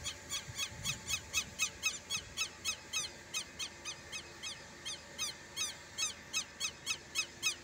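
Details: Southern lapwing (quero-quero) calling in alarm at a rural smallholding, angry and likely guarding a nearby nest: a steady series of sharp, nasal, harsh notes repeated about four times a second, with faint rustling below.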